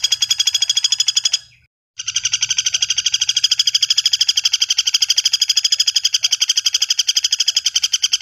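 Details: A common flameback gives a fast, dry, rattling series of identical clipped notes, briefly interrupted near the start, then running steadily to the end.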